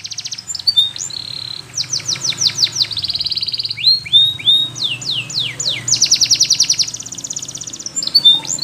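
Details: Singing yellow Spanish Timbrado canary: shifting phrases of rapid sweeping notes, steady buzzy rolls and short upslurred whistles, changing pattern every second or so, over a soft low background hum.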